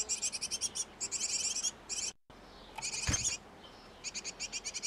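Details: Great tits nesting in a box, the pair constantly feeding nestlings; dense bursts of quick, shrill chirping, a short silent break, then a sharp rustling thump before the chirp trains resume.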